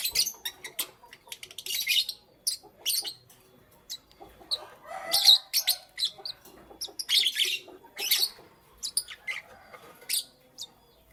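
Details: High-pitched chirps and squeaky twitters from lovebirds in the morning, coming in irregular clusters with short gaps, some notes harsh and buzzy.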